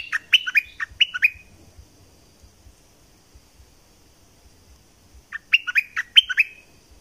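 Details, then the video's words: Bulbul from southern Thailand, locally nok dok taeng, gives two energetic bursts of bubbly, staccato notes several seconds apart, each burst about a second long with clipped, downward-flicking syllables; quiet between phrases. "เสียงนกดอกแตงภาคใต้ สายเบิ้ล!!!Burung merbah lekir gacor bahanan"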